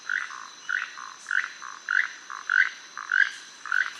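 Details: Keel-billed toucan, common in Costa Rica's Caribbean lowlands: dry, frog-like croaking notes repeated about twice a second, two birds calling together in a duet; steady insect hiss behind.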